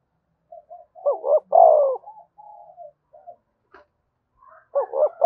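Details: Spotted dove, a cooing recording for stimulating other doves: soft scattered notes build to a strong deep coo phrase, more quiet notes, then another coo at the end.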